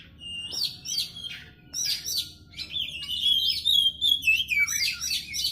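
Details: White-rumped shama, locally kacer, singing a rich, varied run of high whistles, slurred rising and falling notes and rapid chirps, growing louder after the first seconds, over a low constant background hum.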